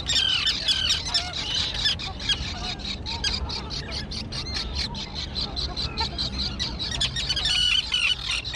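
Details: Young flying terns on an overgrown colony island. Harsh grating cries repeat quickly and irregularly from many birds at once, a steady clamour with a louder flurry toward the close.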